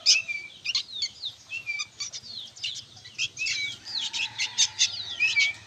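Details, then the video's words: Noisy young sooty-headed bulbuls keep up steady bursts of sharp, high chirps, mixed with short slurred whistles that rise and fall. A faint low hum sits in the background. "SUARA BURUNG ANAKAN KUTILANG PALING RIBUT BERBUNYI"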